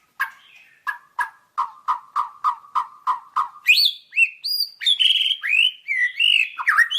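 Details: White-rumped shama: a regular string of about a dozen short, clipped notes repeated at a steady pace, then a switch to bold, varied whistles and slurred, rising and falling phrases.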